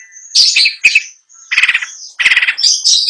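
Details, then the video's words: Long-tailed shrike in contest-style song: thin high whistles mixed with buzzy, pulsing rattled phrases repeated twice, then sharp high chirps. "PENTET GACOR FULL ISIAN | LAGU MEWAH | NGEROLL NONSTOP"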